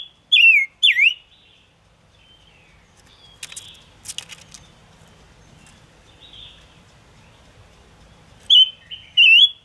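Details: Gouldian finch (chim ngũ sắc) song for a trapping lure. Two loud down-slurred whistles open, followed by a quiet gap with faint ticks, then two more strong whistled notes at the close.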